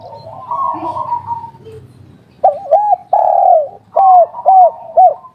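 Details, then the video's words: Derkuku, a spotted dove, giving the local three-note kuk-3 style: after faint low murmuring, a clear series of mellow, hollow coos, some short and bouncing, others long and drawn out. "Derkuku kuk3 lokal gacor ngamuk suara empuk"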